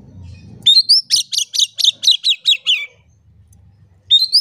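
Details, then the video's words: Oriental magpie-robin in lively song, played as a lure to get silent, lazy magpie-robins singing: a rising whistle, then a run of about nine sharp, falling notes repeated roughly every quarter second, another whistle starting at the end. "PANCINGAN KACER GACOR. KACER DIAM MALAS BUNYI COBA PANCNG DENGAN KACER INI"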